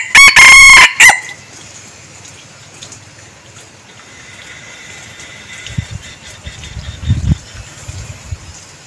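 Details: A decoy red junglefowl crows right at the start, a strong harmonic call about one second long broken into choppy segments. Then comes a long quiet stretch with faint thuds and rustles.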